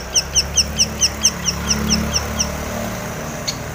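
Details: Long-tailed shrike, locally cendet, used as a provoking song for other birds: a rapid series of about eleven identical high downslurred notes, fading toward the end, with a low hum beneath.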